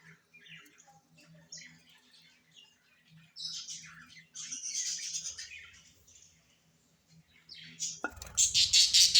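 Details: Parrot calling: scattered high chirps and squeaky twittering notes in irregular bursts, a louder squawky run midway, then a sudden harsh, noisy burst of loud high squawks at the end.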